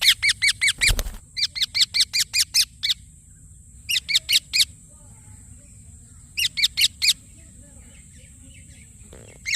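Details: Indian ringneck parakeet chirping in fast runs of shrill, high notes, the longest about ten in a row, then shorter bursts of three to four, over a constant high hum and low background noise.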